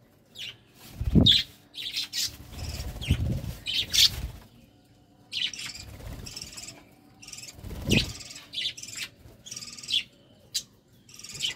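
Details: Budgerigars during courtship, giving bursts of short chirps and scratchy warbled notes in irregular clusters, with soft low thumps and brief pauses between phrases.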